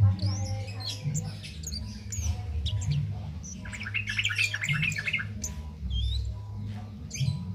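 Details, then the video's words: Cit keres songbird singing steadily without doping, meant as master recording for training other songbirds: bursts of high, quick chirps and short twittering notes, densest mid-clip, over a loud constant low hum. "Cit Keres Nembak Buat Masteran"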